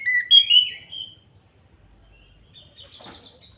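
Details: Orange-headed thrush giving its kretekan call, used as a lure to make other birds sing: wavering whistled notes that fade out, followed by quiet, faint high notes and a soft click.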